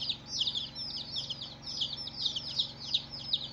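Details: Day-old chicks peeping: strong, bright, downward-slurred cheeps in quick pulses, a few especially piercing notes standing out over a chorus of fainter ones and a faint hum.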